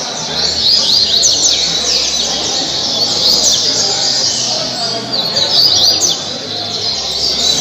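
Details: Caribbean seedeater from Angra dos Reis, Brazil, a captive singer from Mambucaba park, pouring out continuous quick, high, zigzagging twitters and short trills in a busy stream, low hum underneath.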